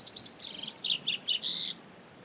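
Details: Wild double-collared seedeater singing in nature: a fast, varied twittering phrase of high chirps and short slurred notes, ending in a sustained buzzy trill, over steady low background hiss.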